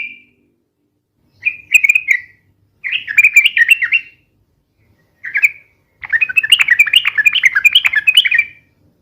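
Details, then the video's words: Sooty-headed bulbul (trucukan) singing its fast, long, noisy song for lure and tutor use: short warbled phrases come in several bursts, ending in an extended three-second run of quick rippling notes. "SUARA BURUNG TRUCUKAN RIBUT UNTUK PIKAT DAN MASTERAN ,SUARANYA ROPEL DAN PANJANG"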